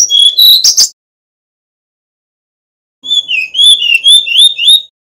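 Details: Male Brown-chested jungle flycatcher from Bali, kept as a master recording for training other birds: two bursts of high whistled and warbled notes, the first short, the second a longer run of varied sliding phrases after a pause.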